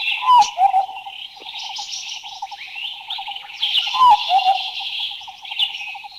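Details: Large Scimitar Babbler in Thailand: two loud, short descending whistles, each followed by a quieter lower note, about four seconds apart, set against dense continuous insect buzzing and pulsing trills.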